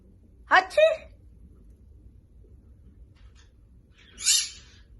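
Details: Household pet bird copying a person's sneeze: a loud, voiced, sneeze-like outburst in two quick parts, a long quiet pause, then a breathy, hissing sneeze-like burst, with faint low background hum.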